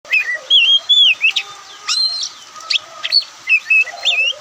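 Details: Oriental magpie-robin, the white-breasted kacer kept as a songbird in Indonesia, singing a relaxed song: clear whistled phrases and slurred notes mixed with sharp chips, varied and fast, with a steady faint hum behind.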